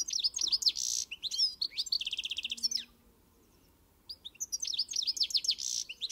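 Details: European goldfinch (Carduelis carduelis) singing a fast, tinkling song of high twittered notes and a dry buzzy trill, broken by a second-long pause before the bright chatter resumes.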